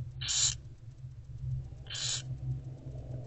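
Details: Mother barn owl feeding her owlets in an owl box around 11 am, 15 February 2024: two short, harsh hissing bursts separated by about 1.5 seconds, with a low background hum.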